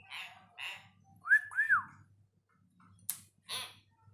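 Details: Hill myna learning vocabulary gives a string of speech-like syllables, then two clear whistled notes that rise and fall in quick succession, followed by sharp clicks and a hoarse final syllable. A low hum runs underneath.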